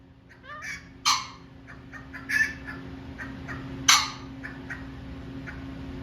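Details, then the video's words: A pheasant makes noise: three harsh, raspy bursts, each short and spaced about a second or more apart, over a steady low mechanical hum. "Mr Pheasant Making Noise"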